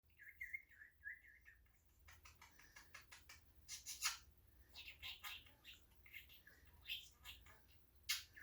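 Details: Male pet English budgerigar talking: quick, scratchy chattering bursts mixed with warbled notes, mimicking speech.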